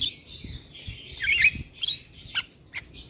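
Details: Javan myna, jalak kebo, in gacor full song for prompting lazy mynas to sing: whistled notes near 3–4k drifting and wavering, then sharp separate chips and clicks, with low background hum.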